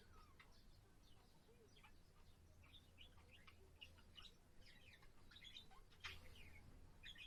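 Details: Budgerigar kept as a pet, singing on 7 April: a soft, rambling warble of squeaky chirps and clicks, growing denser toward the end, with steady low hum behind.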